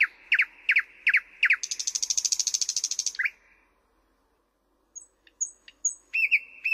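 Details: Thrush nightingale song phrase of four loud repeated descending notes, a fast buzzing rattle of about twenty pulses, a short pause, then high thin whistles and renewed knocking notes.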